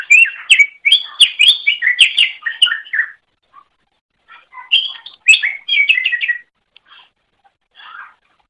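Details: Greater green leafbird singing for use in teaching other birds, a fast chattering series of varied whistled phrases for about three seconds, a gap, then another rapid burst and scattered soft notes.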